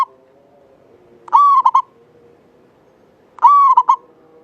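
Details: Local Javanese zebra dove in full song, its long clear voice used as a lure to prompt other doves: twice a sustained, slightly falling cooing note ends in two short clipped notes, phrases about two seconds apart over a low steady hum.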